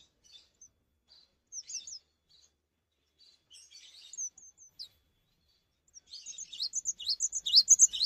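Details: Song of a cinereous tit singing hard without jumping, claimed to prompt other tits to join in; scattered soft high twitters and pauses give way after six seconds to a dense, loud burst of quick repeated chirps.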